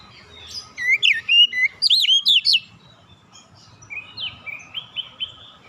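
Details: Oriental magpie-robin relaxed lure song for provoking other birds: a quick series of looping whistles over a second and a half, then after a pause a softer string of short repeated notes.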